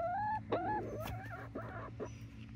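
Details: Young chickens, a 19-week-old flock of Barred Rocks and Gold Stars near Iola in Grimes County, Texas, giving drawn-out, tonal, wavering whines that rise and fall, followed by shorter broken notes over a steady low hum.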